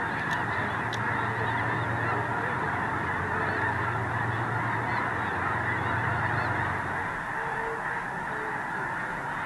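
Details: Early-morning geese at Squaw Creek National Wildlife Refuge, Mound City, Missouri, about to fly out to feed; a continuous massed honking chorus over a low steady hum, with a couple of sharp clicks near the start.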